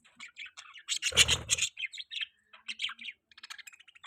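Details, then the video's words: Pet budgerigars chirping: a fast busy stream of high twittering chirps and warbles, several notes per second, with a louder rasping chatter burst near the start and quieter clicking twitters at the end. "Budgie Chirping sound"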